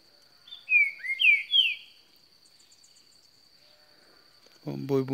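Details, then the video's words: A Green-winged Saltator, a newcomer bird, sings three loud slurred whistled phrases in about a second, dropping then rising, over a steady high electronic whine; a man briefly speaks at the end. "Trinca ferro cantando muito"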